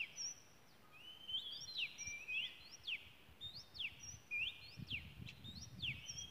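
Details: A wild Oriental magpie-robin sings in Malaysia: after a short opening note, clear whistles and quick falling slurs form phrases repeated about every second, with some low rumbling noise toward the end.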